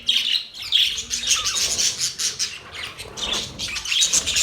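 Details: Budgies chirping, with loud bursts of shrill twitter and short whistled notes, then softer chatter that rises again at the end.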